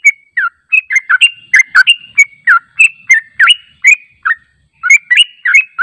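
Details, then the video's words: Yellow-vented bulbul song played to make birds respond. Lively bubbling chirps and downslurred whistles tumble out about three per second, with a brief pause near the end before the chatter resumes. "PANCINGAN TRUCUK JANGAN Di Ragukan Langsung Nyaut"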